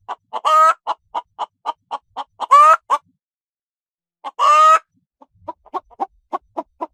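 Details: Clucking hen in a farm henhouse: quick rapid clucks interrupted by three drawn-out, raspy, upward-sliding squawks, then a pause and a softer, irregular run of clucks.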